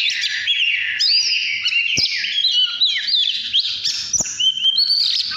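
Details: Oriental magpie-robin singing in the 'căn lửa' style, recorded in 2017: a dense, unbroken stream of rich whistles, slurred rising and falling notes and quick trills, with a couple of sharp clicks around it.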